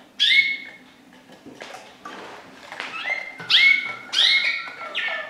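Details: Waterslager canary delivering separate bright phrases: sharp high notes that slide down into sustained whistled tones, set apart by short pauses, with faint background noise between them.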